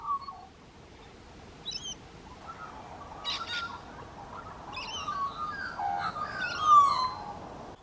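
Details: Australian magpie at an Australian koala sanctuary, preening high in a red eucalyptus tree, carols in low, fluty, warbling phrases that swell over several seconds, with brief high chirps from other small birds.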